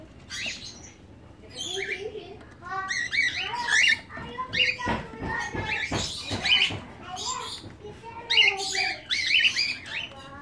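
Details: Captive pair of cockatiels, a newly paired female and male at a breeding farm in Medan, during their first mating. Continuous squeaky chirps and warbled whistles overlap with scratchy rustling and clicking noises.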